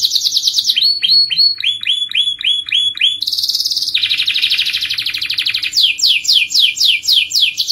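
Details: Canary delivering a long rolling song intended to get other canaries singing: quick successive phrases of repeated notes, high trills, lower rolled syllables, then a sustained buzzy roll and fast descending whistles.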